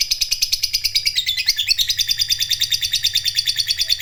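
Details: Vocal fighter lovebird in a long ngekek panjang trill meant to stir other lovebirds: a continuous fast rattling high chatter with even pulses, briefly wavering in pitch before settling again.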